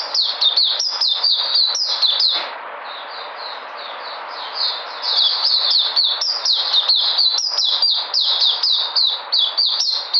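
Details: White-eye recorded 13 February 2020, singing energetically: a fast, steady stream of high, sharp descending chirps, about three to four a second, with a brief softer warbled stretch near the start.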